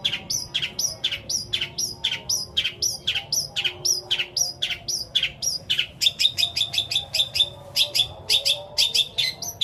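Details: Long-tailed shrike singing a long mimicked medley: sharp, high, clipped notes repeated about twice a second, later quickening into paired bursts, with faint low background hum.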